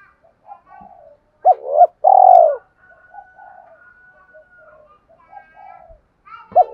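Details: Spotted dove calling to attract wild doves to the decoy spot; soft, distant murmured coos surround a louder pair of hoots and a long, burry, downward coo, with a few faint clicks.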